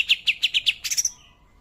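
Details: Short phrase of greater green leafbird tembakan kapas tembak song: five sharp, high chirps spaced evenly, then a quicker cluster of higher piercing notes fading away.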